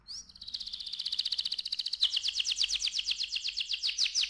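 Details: Softer canary song, recorded to encourage young canaries to sing: a brief high whistle leads into a fast even trill, which shifts midway into a quicker, louder rolling trill.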